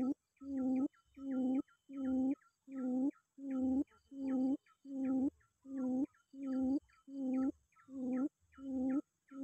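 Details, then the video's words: A quail, used as a lure, calls to challenge a rival, giving a long, steady series of about thirteen evenly spaced low, hollow hoots, each just under a second; quail. "pikat puyuh memangil lawan"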